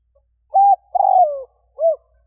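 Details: Spotted dove used to lure wild doves gives one complete phrase: a level coo, a longer coo that slides downward, then a short rounded final note, low-pitched and clear against silence.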